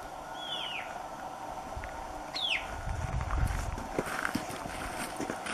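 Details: White-capped tanager, a group-living species, in humid montane forest at Abra Patricia, northern Peru: two brief, high, down-slurred whistled notes about two seconds apart, over footsteps, rustling and people talking.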